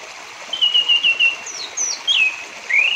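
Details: Orange-headed thrush song, played as a lure to prompt caged thrushes to sing: a steady warbled phrase near the start, then sharp downslurred whistles and a final rising note, over a faint hiss.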